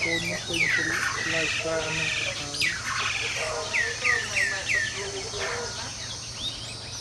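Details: Fighting jalak nias starlings gang up on one another, calling in runs of bright, curved whistles that drop in pitch, several in quick succession, amid lower chattering notes.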